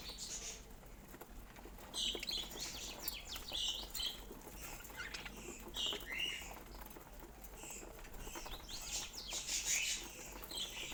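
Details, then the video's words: Pet budgerigars warbling quietly with a steady stream of small chirps and chattering notes, accompanied by light pattering and scratching sounds throughout. "Relax With These Soft Budgie Chirping Sounds"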